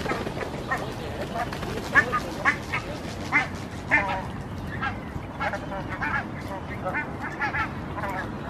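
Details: In Helsinki, Finland, in June 2016, a flock of barnacle geese, including four nearly fledged young, walks toward the shore giving short, yapping, bark-like calls at an irregular pace over a steady rushing background.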